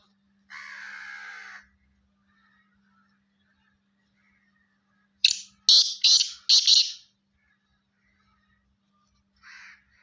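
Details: A five-month-old black francolin, the kala teetar, gives a harsh, buzzy drawn-out note, then after a pause four rapid grating bursts in quick succession, with a faint final note and a low steady hum beneath.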